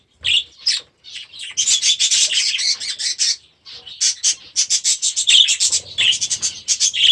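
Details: Young budgerigars, last year's babies, newly released into an aviary, chatter in dense bursts of harsh, buzzy chirps and scratchy notes, with brief pauses near one and four seconds.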